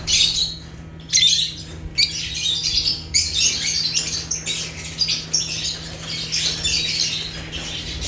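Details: Natural chirping of African lovebirds (Agapornis): near-continuous shrill, scratchy chirps from several birds, dense and overlapping after a brief pause at one second, above a low hum.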